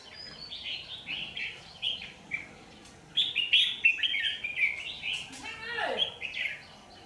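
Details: Red-whiskered bulbul singing as a lure at a trap, 27 January 2019; quiet warbled phrases at first, then a louder rapid series of bright chattering notes, with a low rasping sound near the end.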